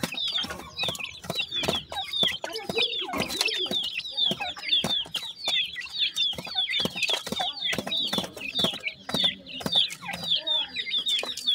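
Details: Grey francolin chicks, several together, calling while feeding: a dense, continuous stream of short, high, chirping peeps overlapping one another, with scattered clicks and knocks throughout.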